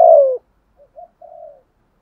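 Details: Spotted dove decoy bird with a 'thổ' style voice suited to luring wild doves that seldom coo: one loud, low, slightly falling cooing note, then three faint short soft coos.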